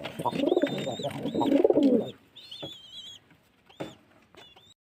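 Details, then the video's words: A pigeon gives low, throaty, rolling coos in two bursts over two seconds, followed by a few high thin whistles and faint clicks. "Pigeon sound"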